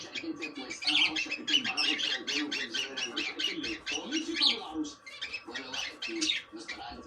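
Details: Cockatiels recorded to encourage mating, with dense overlapping chirps, squawks and warbles from several birds, busy and scratchy throughout.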